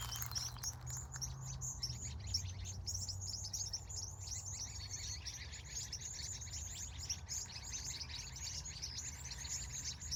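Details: Evening bird chorus at a California sunset, dense overlapping high twittering chirps running continuously for ten seconds above a constant low hum.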